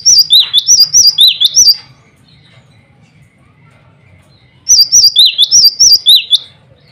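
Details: Two loud bouts of rapid, ringing whistled phrases from a male cinereous tit calling out to rivals and females. Each bout lasts nearly two seconds, alternating high and slightly lower notes, with a quiet pause of about three seconds between them.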